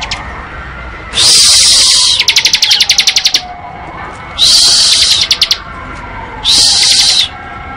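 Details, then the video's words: Bar-winged prinia singing in ngebren style: three loud harsh buzzy bursts, the first followed by a rapid clicking trill, with pauses between. "Suara Burung Ciblek Ngebren"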